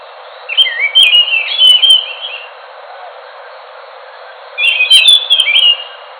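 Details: Two dense phrases of whistled, warbling notes from an Enggano thrush, each lasting about two seconds, with roughly two seconds of near silence between them.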